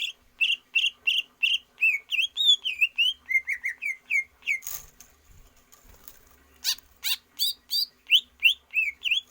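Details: Greater green leafbird song played for stamina training of a kept bird: a fast series of clear whistled, slurred notes, each rising or falling, delivered about three per second, with a brief noisy break midway.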